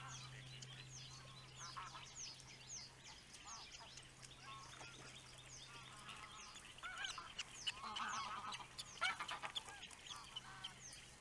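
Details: Osprey dad attending the nest, captured by a webcam; several short harsh call bursts, strongest around 8 to 9 seconds, amid dense high chirping from other birds and a steady low drone.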